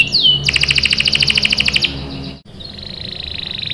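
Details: Canary singing to draw answering song from other birds: a quick downslurred whistle into a rapid rolling trill of buzzy notes, then a quieter sustained buzz.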